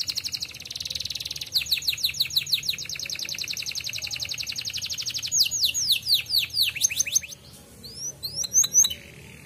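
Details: Canary singing a fast, high song used as a lure to get canaries singing quickly: long rolling trills of rapid repeated notes, then sweeping whistled phrases and sharp chirps.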